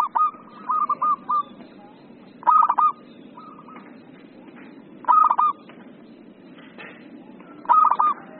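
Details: Keen local zebra dove: clipped, stuttering coo phrases repeat roughly every two and a half seconds, each opening with a bright accented note, with quieter answering phrases between.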